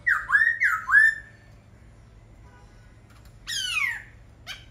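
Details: Laughingthrush singing four loud, rich whistled notes that swoop upward and bend over, then after a pause a harsh descending slurred note and a short final call.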